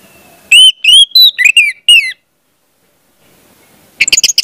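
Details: Orange-headed thrush song played as a lure to train young spotted birds to sing: a quick run of loud, high, bending whistles over about a second and a half, a pause, then a short burst of sharp notes.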